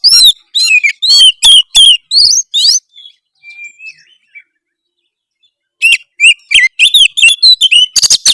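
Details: Oriental magpie-robin singing harshly to provoke rivals, opening with quick scratchy whistled notes, falling nearly silent with a few soft warbles, then returning with rapid rasping chirps that end in a dense buzzy flurry.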